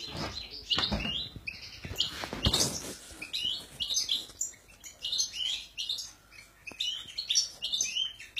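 European goldfinches singing: quick, tinkling twitters and liquid chirps, high and busy, with a few louder broadband bursts near the start.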